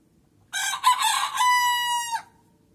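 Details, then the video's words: Leghorn rooster crowing: two short rough syllables, then a long, steady, drawn-out final note of over a second that drops off at the end, loud against quiet surroundings "liqorin xoruzlarinin banlamasi"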